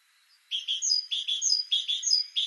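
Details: Great tit (Parus major) singing a run of rapidly repeated two-part phrases, a lower note paired with a higher clear note, cycling about every third of a second in a clean recording.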